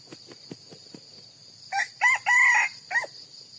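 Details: A few soft taps, then a red junglefowl gives one four-part crow: two short notes, a longer sustained note, and a brief falling tail, with insects shrilling steadily behind.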